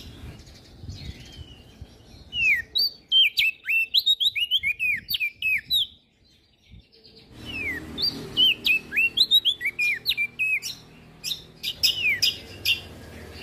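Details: Olive-backed tailorbird song, used as a master for songbird training, in two dense bursts of sharp, hooked whistled notes, roughly three per second, split by a brief quiet gap.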